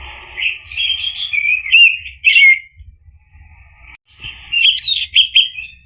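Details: Orange-headed thrush song used as a lure to coax a male into singing. Loud, tumbling whistled phrases with sharp upslurs come in two bursts, split by a short quiet gap with faint distant warbling.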